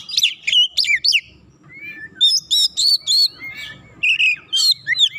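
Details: Agitated Oriental magpie-robin answering a rival: loud swooping whistled notes, then a pause, then quick bursts of sharp, ringing phrases and downslurred whistles in an uneven, energetic rhythm.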